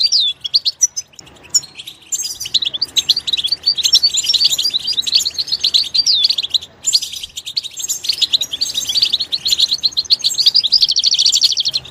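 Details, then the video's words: Continuous high, sparkling twitter from a goldfinch in its natural environment, full of quick slurred whistles and rolling trills, growing denser and more buzzy toward the end. "soothing nature sounds of the Goldfinch"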